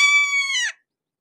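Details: A single drawn-out, nasal scream from a red-shouldered hawk at close range, level at first and then dropping sharply at the end.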